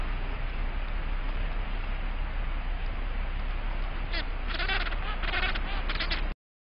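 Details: Gentoo penguins in their colony on Petermann Island, Antarctic Peninsula, recorded 11 March 2011; harsh, pulsing bleat-like braying bursts arrive in quick succession over the final two seconds, after a long stretch of steady low wind rumble.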